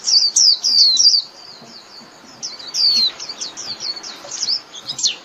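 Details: Rapid high twittering of a Japanese white-eye calling the flock, opening with loud sweeping whistles, easing into softer chirps, then rising again in quick slurred notes.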